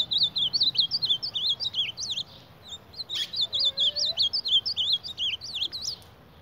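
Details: Ultramarine grosbeak battling its reflection in a mirror sings steady runs of high, zigzag whistled notes in two long bursts, with a brief click-like sound between them.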